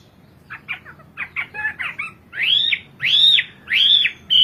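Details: A Hwamei opens with short quick chirps, then gives three loud, drawn-out arching whistles, each rising and falling, in its kowor-kowor song.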